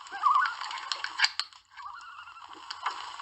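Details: Common loons gathering on Lac Kipawa, Quebec, from a canoe: a short quavering tremolo at the start, followed by a longer, steadier, slightly wavering mid-pitched note over quiet water.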